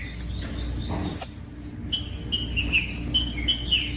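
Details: Green-winged saltator song used to stimulate other birds to sing: a high thin note early, then a string of clear whistled notes with falling slurs in the last two seconds, over background hum.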